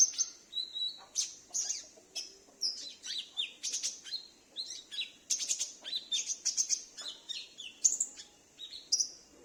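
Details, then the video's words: Home sunbird chattering in reply to a lure call meant for drawing wild sunbirds; a long sequence of sharp high chips mixed with short, stepped, descending whistles, steady and lively throughout. "Pancingan Konin Macet / Konin Bahan dan suara pikat"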